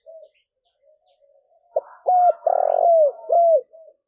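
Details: Decoy calling of a spotted dove, used to draw wild doves in. Faint short coos lead into two loud hooked notes, a sustained buzzy coo sliding downward, another arched coo and a soft closing note.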